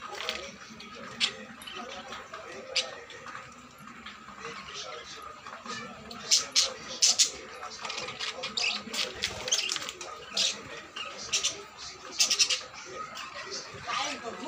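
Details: Caged budgerigars chatter continuously with high, scratchy warbles and sharp chirps.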